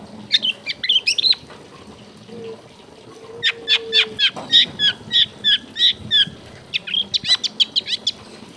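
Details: Long-tailed shrike singing with a rich, clear repertoire to draw other shrikes into song: quick chattering bursts, then a rapid regular series of bright, sharp notes about three per second, then more chatter.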